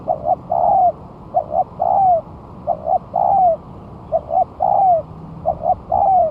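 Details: Spotted dove used as a lure, newly set on the ground one month after moulting: regular cooing phrases, two quick notes then a long descending coo, repeated about every 1.2 seconds, loud and clear over faint hum.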